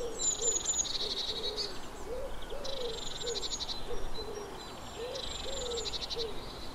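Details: Eurasian blue tit repeating a pattern three times: thin high 'tsee' notes dropping straight into a harsh buzzy churr. A steady series of soft, low, rising-and-falling notes from another bird runs underneath.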